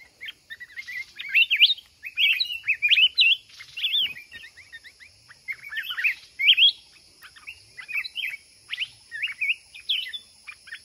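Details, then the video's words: Mountain red-whiskered bulbul in a trap-fighting contest: fast, cheerful warbled phrases tumble over one another for the whole stretch, with short quick notes and a faint steady hiss in the background. "Chào mào núi bẫy đấu"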